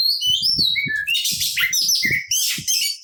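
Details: Oriental magpie-robin aggressive fighting song meant to provoke other magpie-robins: dense, nonstop mix of high sweet whistles and rasping notes, with soft low thumping underneath.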